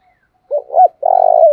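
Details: Single phrase from a decoy spotted dove used to lure wild doves: two short rising-falling coos followed by a long, pulsing, vibrating coo, loud and clear against silence.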